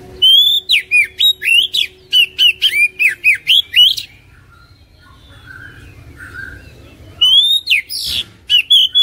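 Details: Oriental magpie-robin singing, a recording meant to coax reluctant caged birds into song: a fast run of about fourteen ringing whistled slurs over four seconds, a pause with faint soft notes, then loud whistling starts again.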